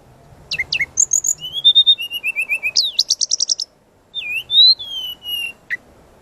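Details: Lively training song of a brown-chested jungle flycatcher, singing with full variation: sharp downslurred chirps, level whistled notes stepping lower, a rapid high trill, then after a brief pause long clear whistles sliding downward.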